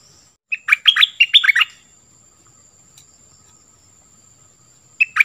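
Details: Nok dok taeng bird from Thailand giving one burst of about eight quick, bright whistled notes, then roughly three seconds of near silence with a thin steady high hum, and a final short note at the end.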